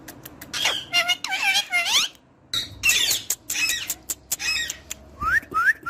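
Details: Parrot talking with dense bursts of harmonic, voice-like syllables and squawks, a brief pause, more chatter, then three rising whistles at the end.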